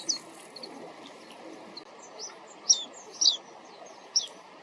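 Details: Wild Japanese white-eye taken with a compact digital camera while walking: scattered high, thin chirps, with stronger sharp notes clustered in the second half and faint ones between.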